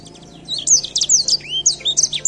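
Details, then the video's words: After a quiet start, an edel sanger bursts into bright, high whistled sweeps and chirps, with one lower rising slur in the middle. "pássaro edel sanger!"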